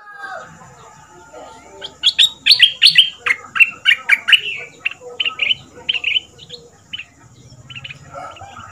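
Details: Southern Thai dok taeng style Red-whiskered bulbul, a caged decoy bird of two months, singing for young birds to copy: a rapid burst of clear, ringing whistled notes, then sparser short chirps over a faint hum.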